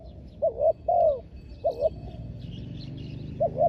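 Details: Spotted dove used for ground decoying of wild doves, with a doubled coo and long falling coo, then another short phrase, while faint twittering from other birds sounds in the background.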